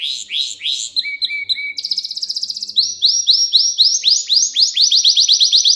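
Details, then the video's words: Singing canary, recorded for training young canaries to sing: opening rising notes and flat whistles, a fast buzzy trill, then a long run of loud upswept syllables repeated about four times a second. "Ders Gibi Kanarya Sesi Ve Ötüşü 2 Saat Kesintisiz"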